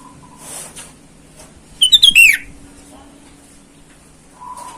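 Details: Sooty-headed bulbul calling rivals in the wild, used as a lure for wild bulbuls. A steady low hum runs throughout while one brisk whistled phrase of bubbly notes rises and then falls away.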